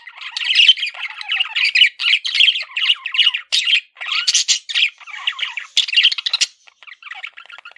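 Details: Male pet budgie chattering in a string of scratchy, chirpy phrases roughly every half second, trailing off into quieter soft notes at the end.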